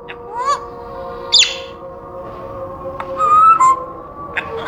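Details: Pet African grey parrot kept in a cage, making its usual noises: short rising and falling whistles, a sharp squawk and clear whistled notes scattered over a steady background hum.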